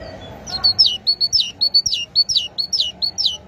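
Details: Steady great tit song: high two-note motifs, a flat note followed by a falling one, repeated rhythmically more than a dozen times without a break, with faint low hum behind.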